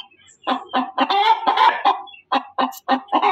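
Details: Loud cackling from a hen: a cluster of rapid, grating clucks merging into a drawn-out cry, then, after a short break, four spaced sharp clucks.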